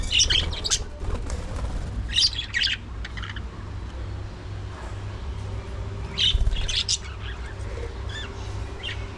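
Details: Budgies at early morning feeding time: scratchy chattering bursts near the start, at two seconds and at six seconds, with soft chirps between, under a steady low hum.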